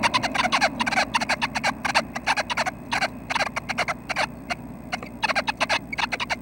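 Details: Nuthatches at their nest at 6:30 am on May 25, giving rapid, harsh clicking notes in quick bursts, several per second, with brief pauses between clusters over a low rumble; the owner thinks they will leave the nest that day.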